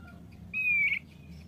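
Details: A male thick-billed white-eye, described as a frequent singer, utters one drawn-out level whistle ending in a brief flourish, set against soft background hum.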